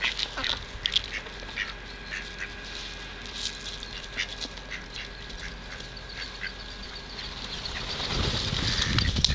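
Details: Hungry ducks being fed at the Kirchsee in Preetz, giving rapid, uneven nasal quacks in a busy stream, with splashing and rustling and a rising rumble toward the end.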